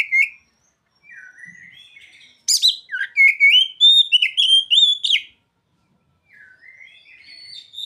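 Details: Oriental magpie-robin song with mimicked ciblek and sogon phrases: a few low whistles, then a quick, loud volley of rising, upturned notes for about three seconds, and a quieter warble after a pause.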